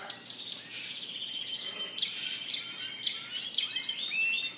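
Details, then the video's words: Spanish Timbrado and Gloster canaries kept in cages at a bird shop, recorded April 9, 2016, sing bright looping whistles and quick chirped trills, several birds overlapping. "Singing Canaries"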